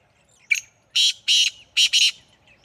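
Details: A black francolin (kala teetar) in Sindh, Pakistan calls with one sharp introductory note, then loud harsh grating bursts, the final two run together, with faint softer notes trailing after.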